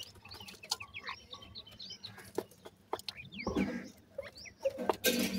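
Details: Sindhi teetar (francolin) chicks give high, wavering peeps over low background hum, with loud rustling and scratching bursts toward the end.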